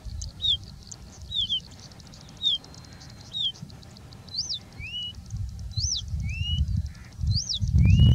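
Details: Singing bushlark in India, a mimic copying species such as Indian Robin, Pied Bushchat, Plain Prinia and Common Woodshrike. Sparse clear whistles: short downslurred notes, then sharp up-and-down whistles alternating with rising slurs, about one every second, over heavy low wind-like rumble.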